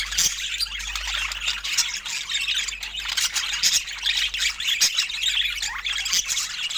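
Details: Pet budgerigars chattering during fruit time: a dense, continuous stream of scratchy, high warbling squawks and chirps, with no pauses across the stretch.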